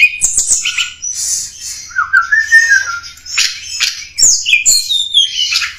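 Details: Hill blue flycatcher lure recording, used to draw in wild birds: sharp high chips and trills, then a long sliding whistle that drops in pitch, followed by more bright, quick warbled phrases.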